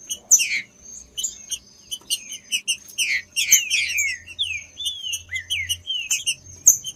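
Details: Green-winged saltator song intended to stimulate and warm up a cold bird for song tournaments; dense high chirping with loud downslurred whistles, growing into a string of clear falling phrases after the fourth second.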